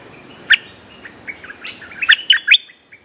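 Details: Wild resident bulbul answering straight away once a lure bird is hung up: a few short, loud, bright chirped notes, sharp and clipped, bunched near the end with a quiet gap between, over faint background hiss.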